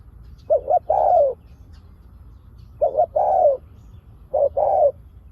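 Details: Spotted dove decoy used to lure wild doves, giving the sharp 'pak khruen' call: three cooing phrases about two seconds apart, each a quick stuttered double note run into a longer, slightly falling coo, over a quiet low rumble.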